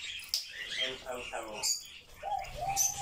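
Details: A pet grey parrot, said to talk nonstop all day, chatters in a rapid, speech-like babble of mimicked syllables, broken by sharp high whistles and clicks.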